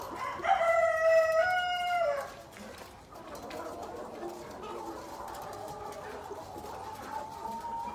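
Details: Black Tailed Red Marans rooster giving one loud, harmonic crow lasting about a second and a half, steady then dropping at the end, followed by softer overlapping clucks and murmurs from other chickens.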